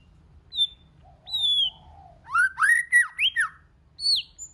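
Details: White-rumped shama singing in many voices to rouse other shamas: separate falling whistles and a soft lower warble, then a quick run of rising, slurred notes and a final high downslurred whistle.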